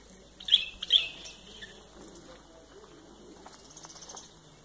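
A White-eared bulbul gives two sharp, high chirps half a second apart, then goes quiet. Faint bird twittering and soft rustling continue behind.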